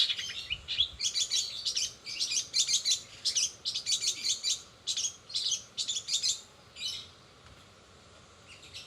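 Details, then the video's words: Long-tailed shrike delivering rapid 'roll speed' song with imitations of sparrows, sogon and canary. Dense clusters of high buzzy chattering notes in uneven bursts fade out toward the end. "cendet rol spid"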